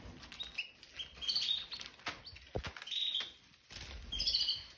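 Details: Indoor cage of Red Factor canaries, two adult pairs and their spring 2023 offspring, molt nearly finished, after cleaning and new seed. Clusters of sharp high chirps and short twittering notes, with seed cracking and hopping sounds.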